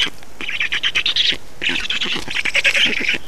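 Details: Black storks at feeding time in Estonia, 2 June 2019: two bouts of shrill, wheezy, chattering calls with a brief lull between them.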